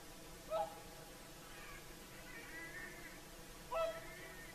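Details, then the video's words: Whooper swans, Finland's national bird, calling at sunset by Lake Saimaa in their evening concert; two loud, bugling honks about three seconds apart, with fainter, higher distant calls drifting in between. "Swans singing at sunset - Lake Saimaa"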